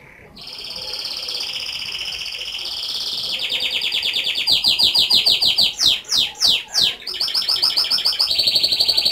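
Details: Whistling canary in full song: a long rolling tour of steady trilled notes, building into rapid repeated chirps, a few sharp downward-sweeping whistles, then quick repeated trills again.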